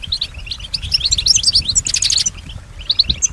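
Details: European goldfinch singing, said to copy sounds it hears around it; a quick run of tinkling chirps building to a dense jangling twitter, then a pause and a couple of final notes, with soft low room rumble.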